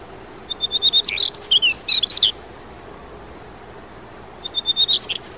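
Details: Daurian redstart at Yeoncheon on fledging day: a steady string of thin high whistles breaks into a scratchy, warbled tangle. After a pause of about two seconds, the same phrase starts again over a soft steady hum.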